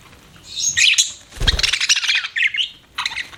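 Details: Budgies chirp in a dense, scratchy warble with high squeaks, overlapping a brief low thump.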